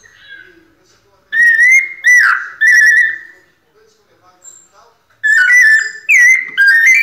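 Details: A captive, ringed White-necked thrush sings pianado: after a quiet start come three loud, pure whistles, then soft faint notes, then another run of three bright, slurred whistles.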